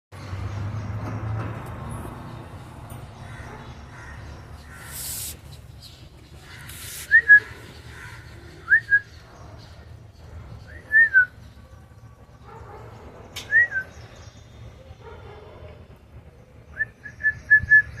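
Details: A lutino cockatiel gives short, rising-falling whistled chirps, then a quick run of repeated notes.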